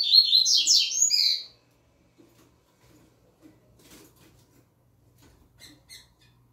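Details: Young novice double-collared seedeater, a caged bird said to sing the "tui tui zel zel" style, delivers a rapid, high, twittering warbled phrase of about one and a half seconds, followed by quiet and a few faint soft chips.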